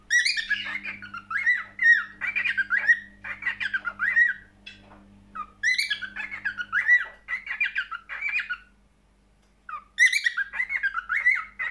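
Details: Cockatiel song in three bursts of squawky chirps and twisting whistled notes, with short pauses and a near-silent gap before the last phrase.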